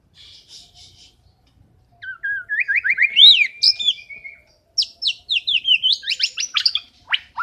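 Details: Murai batu, the white-rumped shama, in energetic sustained song: faint soft notes, a pause, then fast rising whistled phrases and sharp high chattering bursts, varied and richly ornamented.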